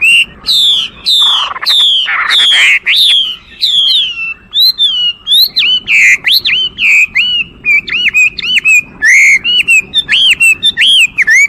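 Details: Loud Chinese hwamei song of strong, ringing whistled notes, some harsh, followed by rapid repeated upslurred whistles in an energetic, varied sequence.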